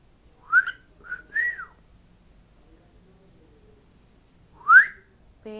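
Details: Pet parrot singing the words it knows in a quiet room: three short whistled phrases in quick succession, a pause, then one loud rising whistle and a low voice-like note at the end.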